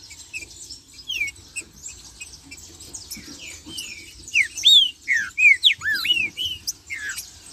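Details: Green-winged saltator marcheando and singing, meant to rouse other saltators: soft scattered whistles at first, then a loud burst of looping, arched whistled notes in quick succession over constant high chatter.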